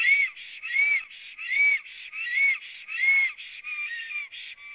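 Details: Black stork at its nest in Latvia on a live nest camera, arriving and singing on the morning of 26 April 2017: a steady series of strained, nasal, rising notes, roughly one every three-quarters of a second, with softer breathy notes between them.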